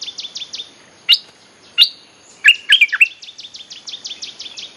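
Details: Bulbul song played as a lure to call wild birds: a run of quick descending whistled notes, then sharp chirps and a chattering burst, ending with more rapid downslurred notes.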